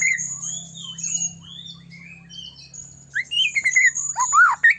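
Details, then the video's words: Constantly singing white-rumped shama used to provoke other shamas into song and agitation; soft high warbling phrases give way to louder rapid whistled notes that rise and fall near the end, over a low humming background. "murai batu gacor AMPUH buat PANCINGAN murai batu agar bunyi JADIKAN burung murai LANSUNG EMOSI"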